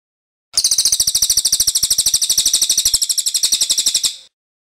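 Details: Cililin, a songbird kin to crows, singing loudly in a long rolling 'ngeroll' burst: about 45 sharp, high, metallic chirps in fast, even succession over nearly four seconds, then stopping abruptly; no other sounds.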